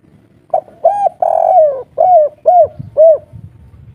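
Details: A local wild Spotted Dove of the three-note "kuk 3" type gives a run of six mellow, hollow coos, each slightly arched and about half a second apart, with faint low background rumble.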